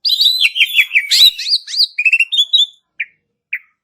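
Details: Lure recording of an Asian pied starling: a fast, jumbled run of whistled and squeaky notes that slows into a few rising whistles, ending with two short isolated chirps.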